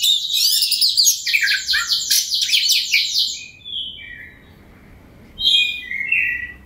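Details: White-rumped shama, a caged bird used as a provoking song to make rival shamas sing, delivering a rapid burst of dense, buzzy high notes followed after a pause by a few clear whistled phrases.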